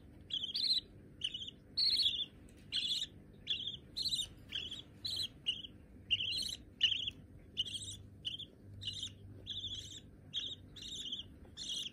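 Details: Two young white budgerigars, already hand-tame, producing a steady run of scratchy, buzzy chirps in quick succession, varying a little in loudness, with a faint low hum underneath.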